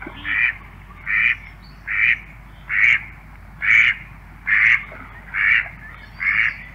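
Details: In Central Russia, a male mallard gives eight short, nasal, raspy quacks at a steady pace, about one every 0.8 seconds, over a quiet background.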